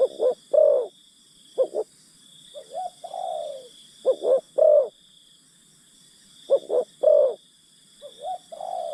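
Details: Lure spotted dove calling to draw in wild birds, repeating a pattern of two or three brief hollow coos and a longer coo, interspersed with drawn-out downward coos, while a thin high hum runs throughout.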